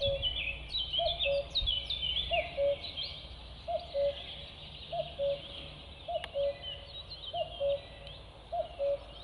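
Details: Common cuckoo calling: a low, hooting two-note cu-coo with the second note slightly lower, repeated seven times about every 1.2 seconds. Many other birds chirp and twitter higher up throughout.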